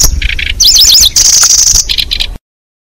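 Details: Bird-catching lure of a Lanceolated Warbler: buzzy double bursts, a run of rapid looping whistles, a long high reeling trill, then more buzzy notes.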